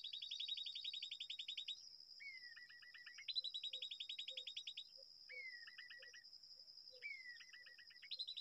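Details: Babbler calling at a nest in a date palm, giving fast rattling bursts of high notes about a second long, each followed by a sliding whistle and brief stuttered notes, with a constant high insect buzz and faint regular ticks.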